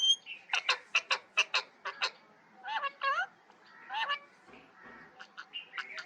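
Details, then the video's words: Parrot calling: a run of harsh, grating squawks repeated quickly, then several bent, warbling notes that sweep up and down, ending in scattered shorter raspy calls. "parrot voice & talk"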